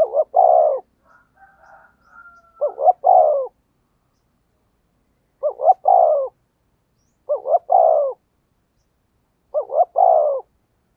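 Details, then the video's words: Spotted dove cooing in the thúc gù manner to draw in wild doves: five evenly spaced phrases, each a clipped double note and a longer, sliding coo. Faint twittering calls fill an early gap. "tiếng chim cu gáy thúc gù hay nhạy bổi, bổi nghe rất xiêng gáy"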